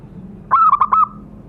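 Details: Local zebra dove used to provoke caged birds to call: one quick phrase of three or four clipped, bubbling notes drawn into a short sustained coo, over faint low hum.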